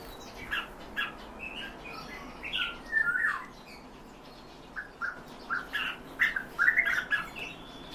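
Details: Captive European bee-eaters give scattered rolling calls, some rising and falling in pitch, grouped in loose bursts with quiet gaps between, the last cluster the loudest.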